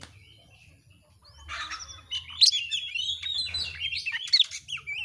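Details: Kacer, or Oriental magpie-robin, recorded as gacor masteran: after a second of near-silence, a soft rasp, then a wavering whistled song with sharp upslurs building toward the end.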